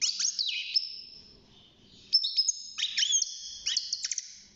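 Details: European goldfinch, a six-month-old cage bird starting to sing, gives a burst of twittering, then a quiet gap, then clear held whistles mixed with sharp downward chirps.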